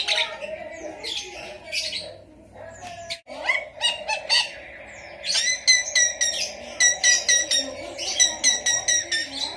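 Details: Caged Javan myna imitating the trilling chatter of a lovebird: loud, rapid bursts of harsh high notes and squeaky whistles, pulsing in quick repeated phrases, with a steady low hum underneath.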